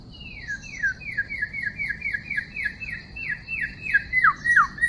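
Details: Wild white-rumped shama recorded on 12 December 2016 in a bird-trapping setting: a run of clear whistled notes, each sliding downward, repeated quickly about three to four times a second, with a steady high tone held underneath.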